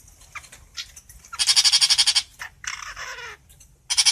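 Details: Calling its flock, a long-tailed shrike gives loud, buzzy pulsed bursts mixed with brief chips, including a lower slurred falling note partway through, and a fresh rasp at the close.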